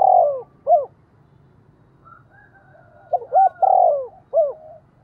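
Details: Spotted dove calling to gather the flock, in 'giọng thổ' voice: the tail of one phrase, a quiet gap with a faint high whistle, then a full phrase of short coos, a long falling coo and a closing note.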